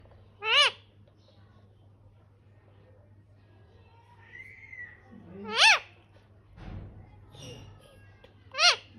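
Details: An Indian ringneck parakeet, apparently angry, gives three loud, harsh screeches a few seconds apart, each short and grating, over a low indoor hum.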